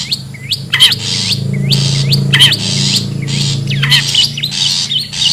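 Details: Long-tailed shrike from the wild, used for luring birds: rapid grating squawks alternate with quick upward-hooked whistles, over a steady low hum.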